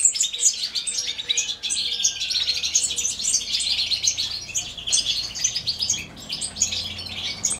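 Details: European goldfinch chicks being fed by their mother, a female: rapid high chattering chirps in steady bursts, overlapping twitter with a brief lull near the end, faint low background hum.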